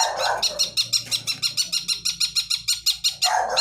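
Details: Wild blangkon long-tailed shrike delivering gacor song full of isian: a fast, even series of harsh, ringing high notes at roughly five per second, framed by short rougher bursts at the start and end.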